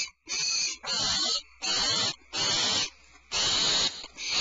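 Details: The Starr Ranch barn owl nest, February 22, 2012, as the mother returns with a supplemental rat. Six grating, hissy screeches of varying length, separated by short gaps of silence.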